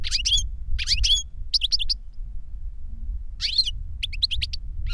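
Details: European goldfinch phrases from a caged master bird and its novice pupil trained with a CD of the master's song; clipped twittering bursts roughly every second, a buzzy slurred phrase after a quiet gap, low hum beneath.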